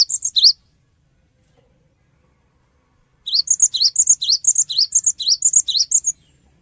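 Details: Cinereous tit, known locally as gelatik batu, used as a lure song to draw quick responses from other birds; two bursts of high, sharp, rising chirped notes alternating with short whistles, separated by a long silence.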